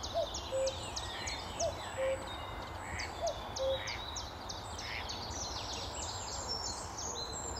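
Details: Common cuckoo on a bright May 2014 morning at Amwell Nature Reserve, lakeside viewpoint: three clear falling two-note cuck-oo calls in the first four seconds, then only a chorus of chirping and whistling small birds.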